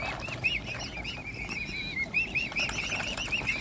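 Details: Mute swan family with cygnets hand-fed and hungry; continuous chain of high, wavy, arched peeps repeated rapidly, several birds overlapping, with occasional clicks and splashes.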